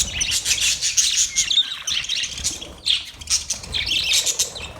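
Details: Budgerigars warbling and chirping in a busy high twitter, notes tumbling over each other in waves, with a brief dip near the middle before resuming.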